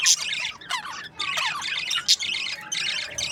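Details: Budgerigars kept as breeding pairs chattering loudly: rapid descending chirps, scratchy squawks and two piercing shrieks, several birds calling at once with no pauses.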